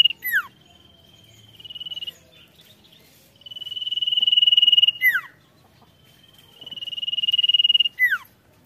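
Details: Singing sirtu in lively voice: repeated phrases of a buzzy high trill that swells in loudness for about one and a half seconds, each ending in a quick falling whistled sweep, three phrases in all with soft hum beneath.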